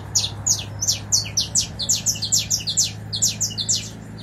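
A Saffron Finch sings a lively run of sharp, high chirps, about two or three each second, some slurring downward, over a faint low hum.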